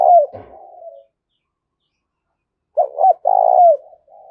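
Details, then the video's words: Decoy spotted dove calling to excite wild birds: a fading, slurred coo, a long pause, then two short punchy notes followed by a sustained coo that dips at its close and a quiet trailing note. "Tiếng chim cu gáy thúc bổi rất sung"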